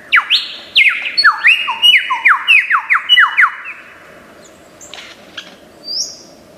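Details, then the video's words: Lyrebird from Australian forests, famed for imitating many sounds, pouring out a rapid run of steeply falling whistled sweeps, several per second, then stepped slurred notes that fade into soft scattered chips. "Tembakan Lyrebird gacor 1001 macam suara"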